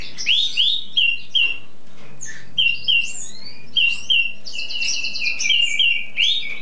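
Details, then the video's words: Songbird used as a cabresto, in spring song-display stage, singing nonstop: repeated sharp rising whistled notes, about three a second, then a dense buzzy warble, low hum behind. "primavera cantando por horas sin parar!"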